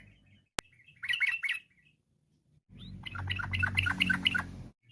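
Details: Yellow-vented bulbul singing to call other bulbuls to sing along; a short cluster of a few chattering notes after a sharp click, a pause, then a longer fast run of bubbly notes over a low hum.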